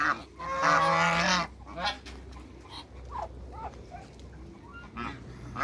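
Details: African geese, two males and one female, kept in a backyard with other waterbirds; one loud harsh honk near the start, then quieter scattered short honks and clucks.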